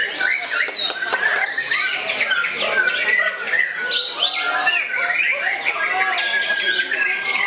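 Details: White-rumped shama in aggressive display against a rival, singing a fast, varied stream of bright whistles, buzzy chatter and a few sustained high tones, overlapped by background talk and other birds.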